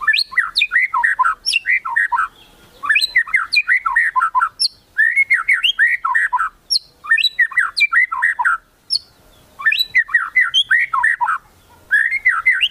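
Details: Loud, rich song of a white-rumped shama, kretekan style meant to provoke rivals into singing: rapid phrases of tumbling, warbled whistles repeated again and again with brief pauses between bursts.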